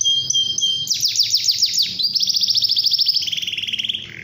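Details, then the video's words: Canary singing in the morning to prompt other canaries to sing: a steady high whistled note, then a fast run of downward-sweeping chirps, then a rapid buzzy trill that drops lower near the end. "KENARI GACOR AMPUH DIPAGI HARI BIKIN KENARI LAIN IKUT BUNYI"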